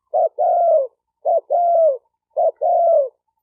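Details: Spotted dove cooing, used to stir up decoy, male and female birds: three phrases, each a brief low note followed by a longer husky coo that falls at the end, spaced about every 1.2 seconds against a silent background.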